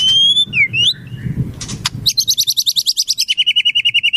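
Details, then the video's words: White-rumped shama song with wild-bird imitations, used as training material: high clear whistles and slurred notes, then a fast, even, buzzy trill of about six notes a second over faint low background rumble. "Masteran Murai, Isian Burung Alam Liar"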